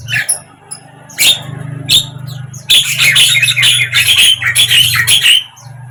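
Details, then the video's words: Javan myna, sounds aimed at prompting a silent bird to sing: scattered squawks, then a dense stretch of grating, chattering notes, with a constant low hum underneath. "suara JALAK KEBO BISU BIAR IKUT BUKA PARUH"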